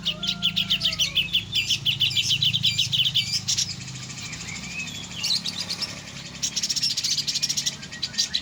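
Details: Grey-cheeked bulbul: a fast rhythmic chatter, a short lull, then renewed rapid bursts, with faint wing flutter heard.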